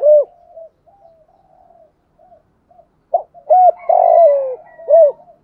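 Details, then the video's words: Decoy spotted dove cooing to attract other doves: one clipped coo, soft trailing murmurs, then a phrase of short coos ending in a long downward-sliding croon and a last hooked note. "thuc gu gay goi chim cu gay/ chim cu gáy mồi ra đủ bài"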